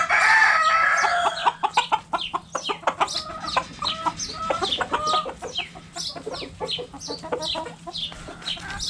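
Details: Backyard hens play with a cabbage, clucking in a dense, rapid run of short, harmonic, nasal notes that start loud and thin into quick, irregular pecking clucks, with high descending peeps overhead.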